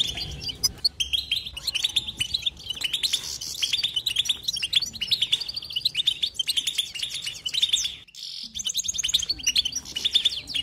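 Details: Nonstop goldfinch twitter: bursts of rapid, liquid chirping and buzzy trills, dense and lively, with one short pause just after the eighth second before the chatter resumes.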